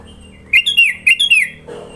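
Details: Sooty-headed bulbul in Sidoarjo, East Java, singing varied filler song: two bubbly phrases of loud, liquid whistled notes that slide up and down, followed by a brief soft rustle.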